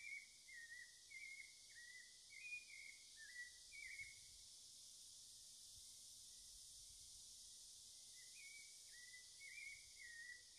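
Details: Cocoa thrush song from Amazon forest: a series of clear whistled phrases with slight falling and rising inflections, delivered in a run, pausing, then resuming, over a steady high hiss of insects.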